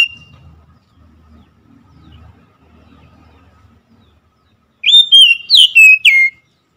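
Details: After several seconds of quiet low background noise, an Oriental magpie-robin bursts into a brief run of about five loud whistled and slurred notes.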